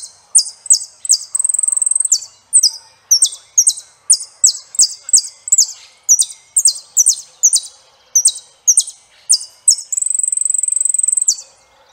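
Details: Saffron finch song: rapid, sharp high notes repeated about twice a second in short bursts, broken by two long buzzy trills near the start and end, with no other sounds.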